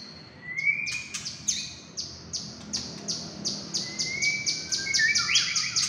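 A white-rumped shama sings clear rising whistles, then a fast run of bright, high chips about four per second, over a low background hum.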